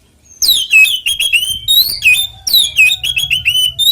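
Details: Oriental magpie-robin fighting song used to provoke other magpie-robins into singing: loud, rapid bursts of whistled notes sweeping down then level, with sharp harmonic-rich chirps repeated in quick succession.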